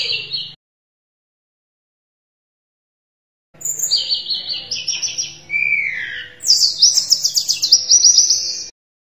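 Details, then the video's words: Gacor singing of a Sunda robin used as tutor song. After a short opening phrase and long pause comes a varied run of high whistled notes, a falling slurred whistle, then a fast, very high trilling series. "Suara Tledekan Gunung Gacor"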